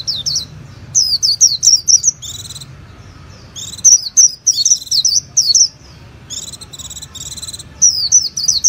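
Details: Japanese white-eye alternating buzzy, harsh chatter notes with high twisting whistles in short irregular bursts, over a faint steady hum.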